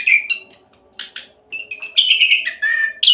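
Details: Orange-headed thrush singing rapidly, a lure to prompt other birds to sing: sharp high whistles and rich warbled phrases, a short pause midway, then long slurred whistled notes, over a faint constant hum.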